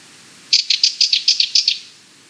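A Sardinian warbler gives a harsh, rattling chatter of about ten dry, scratchy notes in quick succession, lasting just over a second, against a quiet background.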